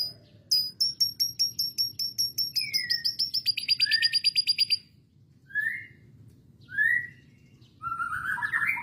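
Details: Canary delivering a lovebird-style fill: a rapid run of sharp, high chirps that speeds into a dense rattling trill, then several short upslurred whistles and a rising buzzy phrase at the end.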